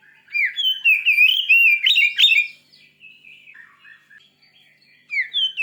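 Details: Fierce white-rumped shama song used to rouse a listening shama: loud rolling whistles and sharp chattering notes for over two seconds, a quieter rambling warble, then a bright rising phrase returns.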